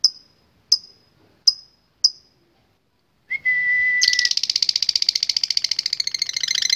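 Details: Contest lovebird of the latah type, singing actively, with a song said to call rivals. Four short sharp whistled pips and a long steady whistled tone come first, then a fast buzzy rattling trill of rapid repeated notes begins.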